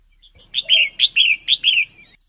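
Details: Six evenly spaced, bright warbling notes from a female red-whiskered bulbul, each a slurred up-and-down whistle, in a steady run ending with a softer trailing slur; a call meant to rouse males.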